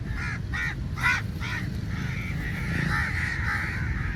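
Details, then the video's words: A crow flock feeding on put-out food; four quick, harsh caws in a row, then a blurred wash of distant cawing from many birds over a low background hum. "Crow Sounds Very Loudly"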